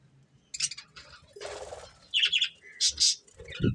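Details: Budgerigar breeding pair giving short high chirps and scratchy squeaks in quick uneven groups, interrupted by a brief broad rustling noise and a low thump near the end.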